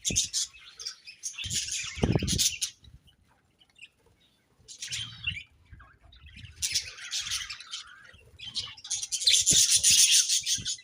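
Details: Budgerigars in the morning giving bursts of shrill, scratchy chirps and warbles, a quiet gap near the middle, then rapid high chattering that grows loudest toward the end, with occasional low bumps.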